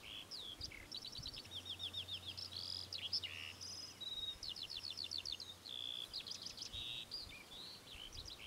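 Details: Temminck's stint singing a long, high-pitched series of fast ringing trills, broken by brief level buzzy notes and sharp rising chips, repeated almost without pause against faint low noise.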